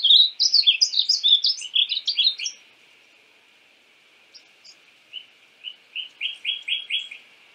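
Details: Painted bunting (Passerina ciris), a North American cardinal-family bird, gives a fast, high warbled phrase of jumbled slurred notes lasting over two seconds, a pause, then a softer phrase of short rising chips building in loudness.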